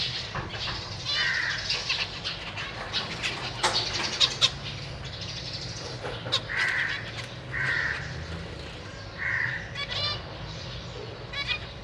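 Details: Zebra finches, a parent pair with three juveniles and three newly fledged young, give short nasal, honking calls every second or two over a steady busy chatter of ticks and chirps from several birds.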